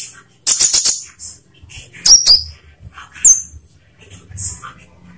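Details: Olive-backed sunbird song used as a lure to get captive sunbirds singing. Very high, thin chirps and sharp whistled notes come in short clusters separated by gaps, with a rapid burst of ticks near the start.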